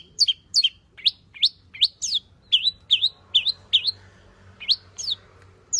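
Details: Long-tailed shrike singing energetically, used to prompt other shrikes to sing: clear, sharp whistled notes sweeping up and down, repeated about two to three times per second with short pauses, over a faint low hum.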